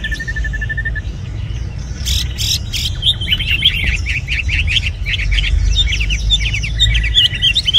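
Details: Tame red-whiskered bulbul in a cage: a short even twittering run, a few clicks, then a quick series of chirpy slurred notes building in loudness, with a level whistle near the end.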